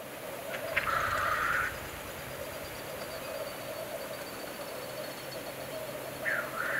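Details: Black grouse lekking on a Norwegian bog keep up a steady, low bubbling coo throughout, with two harsh hissing, sneeze-like calls rising above it near the start and end.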